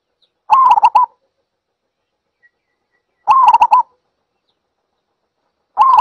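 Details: Zebra dove repeating a short staccato cooing phrase of four to five quick trilled notes, each burst about half a second long and spaced roughly every two and a half seconds, with no other sounds around.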